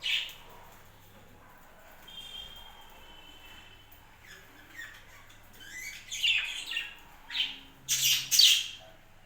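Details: A captive budgerigar flock on a home farm: quiet thin tones at first, then a run of loud, harsh, high chirps and squawks building toward the end, with a low hum behind.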